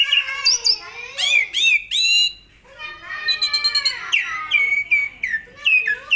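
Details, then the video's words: Energetic Asian pied starling song played to train other songbirds: harsh rasping phrases, squeaky upward-swept whistles, and a long chattering run of descending notes, with short pauses between bursts. "SUARA BURUNG JALAK SUREN GACOR FULL ISIAN AMPUH buat MASTERAN SEMUA BURUNG KICAU"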